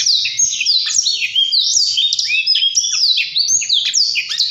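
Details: Blackthroat singing in the continuous rolling ngerol style: a rapid, unbroken stream of high whistled and slurred notes, many sweeping downward, packed tightly with barely a pause across the whole stretch.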